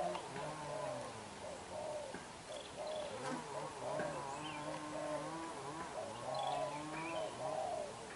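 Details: Young black-eyed decoy spotted dove cooing hard in đập gù fashion, low hollow notes in repeated bursts over a steady low hum, with scattered faint chirps of other birds.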